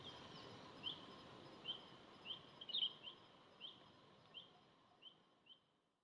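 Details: Oriental hobby at Dalat, Vietnam, recorded 6 October 2018: a quiet series of about nine short, sharp, high notes spaced roughly every half second to second, fading toward the end, over faint low background noise.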